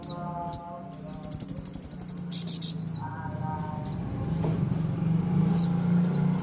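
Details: Horsfield's babbler singing constantly at Mojokerto: sharp high downslurred notes, then a rapid run of about fifteen evenly spaced chips, more scattered high slurs afterward, over a steady low hum.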